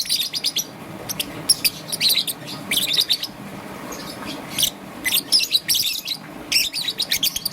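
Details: Morning chirps from a young green-and-yellow peach-faced lovebird, short scratchy high notes fired in rapid groups of three to six, gaps of about half a second between groups, over a quiet low background rumble.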